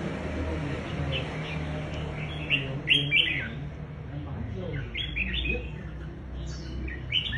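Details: Red-whiskered bulbul showing its contest fighting style: scattered loud, clear, slurred whistled notes in short groups, with faint voices and low rumble behind.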